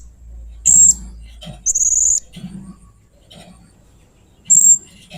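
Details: Strange, fierce sounds from a blue-crowned hanging parrot: three loud, piercing high whistles, one drawn into a buzzy trill, spaced by quiet gaps with faint soft chirps. Low background hum throughout.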